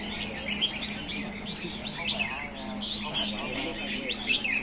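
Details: Several Red-whiskered Bulbuls sing together during the final round of a bulbul singing contest, in bright, chirpy, warbling phrases that tumble over each other. People talk and murmur underneath.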